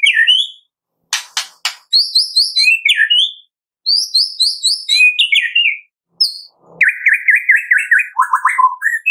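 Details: White-rumped shama of the Medan type singing a morning lure song played to make captive birds sing: varied phrases of sharp high chips, rising whistles and rapid slurred notes in quick bursts, with brief pauses between.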